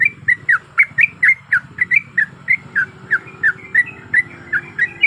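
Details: Sooty-headed bulbul female, in breeding condition, calling to a male: a continuous fast series of about twenty short, downslurred chirping notes, evenly repeated, with a low rumble underneath.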